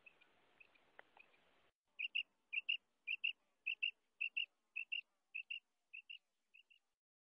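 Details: Female quail calling, as used in hunting. A brief noisy hiss opens, then clear high double chirps repeat about twice a second, slowly growing fainter.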